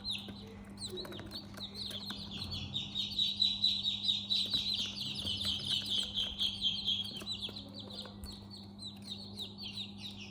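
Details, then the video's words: Chicks in a brooder house giving continuous high, slightly buzzy peeps that blur into a chorus, rising in loudness midway and then easing, with a faint low mechanical hum throughout. ""Chicks Chirping" sound"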